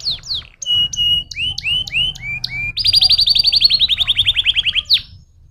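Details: Canary stimulating song: assorted falling whistles and short steady tones, then a long rapid trill of roughly twenty pulses that slowly drops in pitch before a final sharp note.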